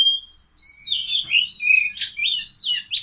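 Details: Oriental magpie-robin in lively song as a vocal tutor: sweet sustained whistles opening into quick, varied, slurred notes rising and falling, delivered in tight, continuous bursts with a faint low hum behind.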